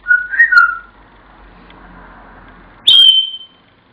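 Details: Indoor African grey parrot mimicking Pop Goes the Weasel: two wavering mid-pitched whistled notes, a quiet stretch of room hum, then one piercing high whistle held and fading.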